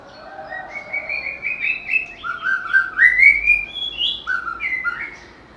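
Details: Melodious White-rumped shama song from a bird known to mimic other species: flowing sequences of rich whistled notes, rising slurs and quick warbled phrases, delivered continuously against a faint hiss.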